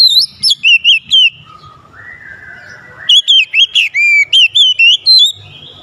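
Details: Song of an oriental magpie-robin, meant to excite a sluggish bird: quick wavering whistled notes, then a long steady lower whistle, then a fast series of looping, sliding whistles repeated about every quarter second.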